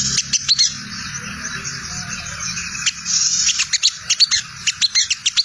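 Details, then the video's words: Ngriwik chatter of a sogon, a lure for wild birds: a few sharp high chips, a hissy lull, then a quickening run of rapid high ticks. "Suara sogon ngriwik untuk pancingan sogon bahan prospek"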